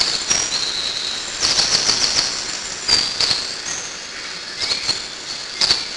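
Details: Young Eurasian blue tits in the hollow of a tree, fed by both parents: shrill, hissing begging notes surge in several loud bursts, with brief thin whistles and quick snapping knocks of activity at the nest.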